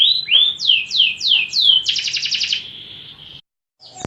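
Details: Fighting canary in training song: five downward-slurred whistled notes, then a rapid pulsing buzzy trill that fades out, a short silence, and the start of a new phrase.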